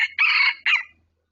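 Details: A crow from a red junglefowl at a decoy-trapping site where a wild bird approached in under two minutes. The tail of one note is followed by a long rough sustained phrase and a short, abruptly cut final note. The setting is otherwise quiet.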